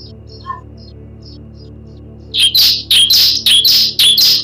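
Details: Bar-winged prinia used as a lure to make birds sing. Soft scattered high chirps come first, then a sudden loud series of raspy, buzzy notes repeated almost twice a second.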